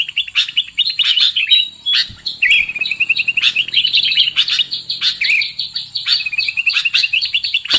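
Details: Sooty-headed bulbul trapping lure: busy chattering chirps at first, then long runs of rapid, even, trilled notes held at one pitch, interrupted by sharp high clicks.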